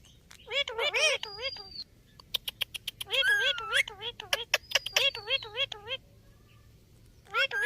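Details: Talking Indian ringneck parakeet, a pet bird: rapid, wavy harmonic syllables mimicking speech, interrupted by sharp clicks and a long thin whistle, with more chattering phrases at the end.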